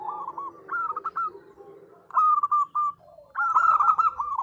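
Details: Female zebra dove, local bird, calling the male; short broken coos, then a crisp run of spaced staccato notes, a soft low note, and a final loud rolling burst.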